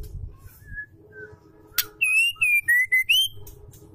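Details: Female Oriental magpie-robin calling to a male, used as a lure to provoke males into singing: a sharp click, then a rapid run of five loud, clear whistled notes, the last rising, over faint low hum.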